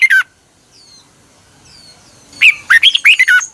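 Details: Red-whiskered bulbul morning song for training, 2021: one harsh slurred note, a pause with faint thin whistles from other birds, then a quick excited string of five or six warbled notes.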